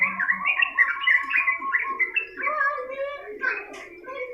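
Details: Sooty-headed bulbul in continuous 'gacor ngedur' singing meant as a training recording: rapid chattering, slurred notes in tight runs, then a smoother falling phrase, with a brief low cooing note near the start.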